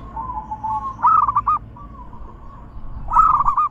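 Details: Zebra dove cooing for prompting other doves to sing, big, bekur and crystal voice styles: a soft drawn-out note, then two short trilled rolling phrases over steady low rumbling background noise.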